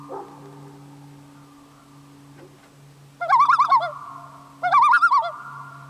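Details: Common loon alone on a lake at Kamloops, British Columbia, late summer 2013, recorded while canoeing: two loud wavering tremolo bursts in quick succession after a quiet stretch, each rapid and yodel-like, with a constant low hum underneath.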